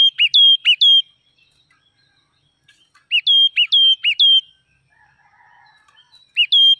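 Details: Wild red-whiskered bulbul from the forest singing short bright whistled phrases of three to four quick notes, each dipping then rising, with a quiet gap between bursts and a final phrase beginning at the end.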